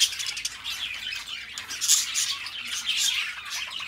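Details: Pair of companion budgerigars chattering nonstop: high, raspy, buzzy warbling with quick clicks and chirps packed closely together, rising in intensity near the middle and again toward the end.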